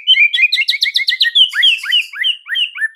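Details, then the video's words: Caged white-rumped shama master song for training birds: a fast high trill of rapid ticking notes, then clear whistled slurs, several falling steeply, in quick succession. "MASTERAN Murai Batu MANDEK & BISU seketika jadi NARUNG plus NGAMUK mendengarnya"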